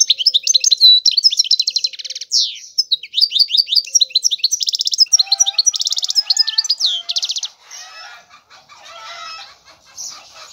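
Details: Extended European goldfinch song of rapid chattering twitters, buzzy trills and sharp swept notes for about seven seconds, fading into softer, scratchy background chirping.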